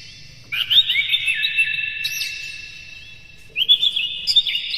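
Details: Captive Oriental magpie-robin singing in the morning as a lure to make other birds chatty. Two bursts of bright, slurred whistles with twisting notes are separated by a quieter pause.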